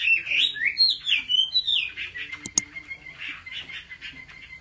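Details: Caged Chinese hwamei in competitive song at home: a burst of fast warbled and swooping whistles that gives way to a steady thin tone, with sharp knocks and faint clicks.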